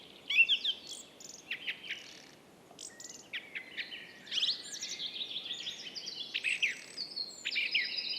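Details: Song thrush singing in Estonia: varied, sharp whistled and chirping phrases, some notes repeated in quick bursts, with brief pauses between phrases and a busier stretch in the second half.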